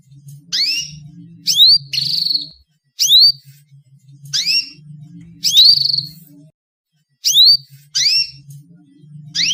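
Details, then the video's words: Female canary calling to lure male canaries into singing: short, sharp, upward-sweeping chirps, often doubled, repeated in spaced bursts with pauses, over a faint low hum. "SUARA KENARI BETINA, PANCINGAN KENARI JANTAN AGAR GACOR"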